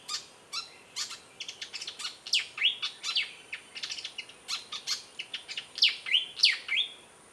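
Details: A perched Malaysian pied fantail singing at Lung Sin waterhole, Kaeng Krachan National Park, Thailand: a rapid, squeaky chatter of high ticking notes and sharp downslurred squeaks, about three a second.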